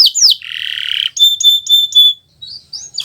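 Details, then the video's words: Kenari Nusantara canary in full song, kept as a tutor recording for other birds learning to sing; a falling whistle, a long buzzy trill, then a run of short high chirps and upslurred notes. "Suara Burung Gacoran Kenari Nusntara, untuk Masteran Belajar Bunyi"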